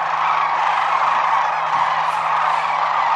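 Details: Sandhill cranes wintering at Whitewater Draw Wildlife Area in Arizona, a large flock calling at once; countless rattling, trumpeting calls blend into an unbroken roar, a low steady hum underneath.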